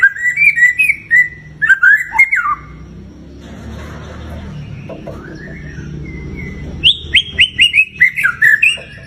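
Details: White-rumped shama song used to bait a pet bird into singing: varied whistled phrases at the start and end, separated by a stretch of soft hiss and a faint rising whistle.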